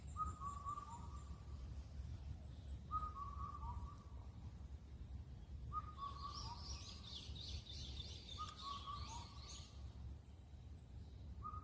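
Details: An Indian cuckoo (Cuculus micropterus) on Cheonmasan, Incheon, Korea, a bird that calls through the night in late spring, repeats its clear four-note whistled phrase, falling slightly at the end, about every three seconds; another bird chatters high over a low rumble.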